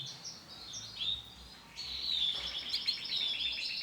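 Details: Singing male canary, yellow variety: scattered high whistled notes, then a long continuous rapid trill at high pitch over quiet background noise.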